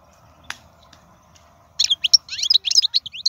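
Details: European goldfinch of wild stock, a strong singer: a sharp click and quiet hum first, then a lively run of high, slurred twittering chirps.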